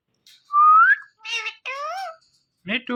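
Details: Ringneck parrot talking: a clear upward-sliding whistle opens, followed by several harmonic spoken syllables, one drawn out and wavering, and a harsher meow-like note at the end.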